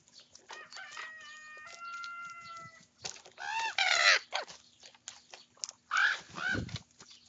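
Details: Several young common ravens squabbling over their breakfast: a long steady harmonic note held for about two seconds, then loud, harsh, arched cawing calls in bursts, with rustling and pecking noises between.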